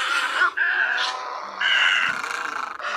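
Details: Great egret giving harsh, hoarse, grating croaks in several bursts of about half a second to a second, run almost together; a lure call for night netting during the August migration season.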